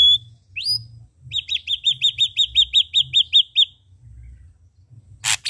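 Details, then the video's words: Red-eyed ashy drongo singing vigorously: after a few scattered high whistles, a rapid run of about thirteen sharp, downslurred whistled notes, evenly repeated, then a brief harsh burst at the end. "Srigunting Abu Abu Gacor Mata Merah"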